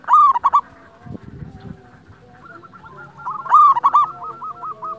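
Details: Local zebra dove recorded to lure and train other doves: a loud, fast, stuttering cooed phrase opens and returns near the end, with fainter rolling coos from other doves and a brief low rustle in between.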